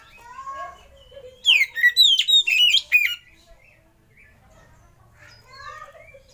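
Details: Oriental magpie-robin lure and tutor song to spur other birds to sing: soft low whistles, then a loud fast phrase of sweeping chirps and whistles for about a second and a half, followed by quieter rising whistles.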